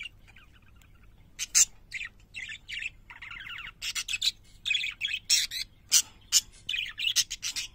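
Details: Pet parakeets singing: a soft chirp, then bursts of bright high chirps, a buzzy rasping warble near the three-second mark and rapid squeaky notes in quick succession, with a faint low hum underneath.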